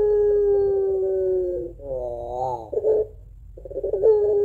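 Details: Crying two-note song of a pelung Barbary dove, suited to luring doves: a steady moan, then a rising, quavering, warbled phrase and a gurgling burst, a pause, and the next long note beginning.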